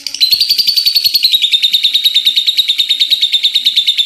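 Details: Shrill, continuous lovebird chatter with a whistled tone sliding slightly downward in the first second, then holding level under rapid pulsed notes.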